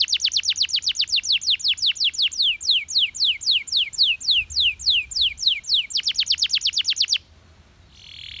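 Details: Belgian canary song as a steady chain of about thirty quick, high downswept whistled notes at roughly four per second, closing with a faster burst before stopping abruptly.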